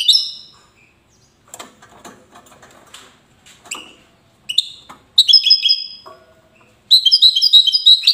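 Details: European goldfinch, wedani style, in Safi, Morocco: scattered short twittered notes and rustling knocks break up the quiet, then denser bursts of bright chattering trills arrive toward the end, the last a sustained liquid warble.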